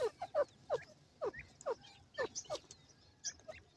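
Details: Caged female partridge with her young, calling: short, sharply downslurred notes repeated about three times a second in uneven bursts, with faint higher chirps in between.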